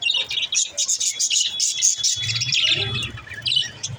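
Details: Budgies chattering, meant to prompt lonely pet budgies to chirp. Rapid high twitters and bright whistled notes run close together, with a low rumbling hum rising in the background during the second half.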